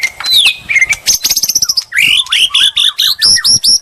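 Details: White-rumped shama singing as bait to provoke a rival, mixing whistled slurs with a rapid string of short high notes, then repeated rising chirps about every quarter second.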